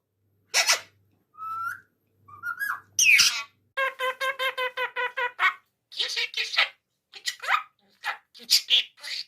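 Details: A ringneck parakeet, a talking parrot, chatters in bursts of mimicked speech, with harmonic word-like phrases and sharp high squawks, roughly two or three sounds per second.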